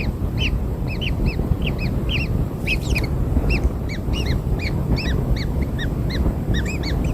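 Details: Newborn kingfisher chicks being fed black insects: short, rising-then-falling squeaky notes repeated rapidly, several per second, over a steady low rumbling background noise.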